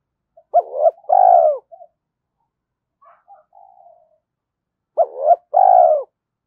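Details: Spotted dove in early morning, cooing to provoke fighting and lure. Two loud phrases about four and a half seconds apart, each a brief double note then a long coo, with faint murmured notes in between.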